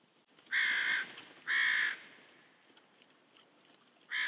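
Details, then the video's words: Ravens and crows screaming around a pond in Kuhmo near the Russian border, Finland, while two bears look for food; three harsh, loud caws, two close together then one after a pause, over quiet natural background. "Ravens and crows scream around in Kuhmo."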